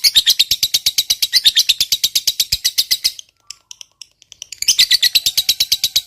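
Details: Lovebird fighter giving a long ngekek trill, used as a lure to provoke other lovebirds: rapid, harsh, chattering notes, about ten per second, for three seconds, then a short pause before the fast trill resumes.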